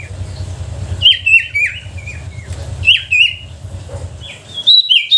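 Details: Lure song of a sooty-headed bulbul, played to stir quiet bulbuls into singing: clear whistled phrases with falling slurs and sharp chirps in bursts, over a low rumbling background.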